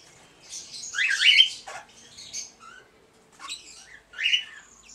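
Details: Red-winged parrots, a two-year-old pair with their first brood of 20-day-old chicks. One loud raspy screech cluster, then quieter scattered squawks, short grating notes and a last sharp burst.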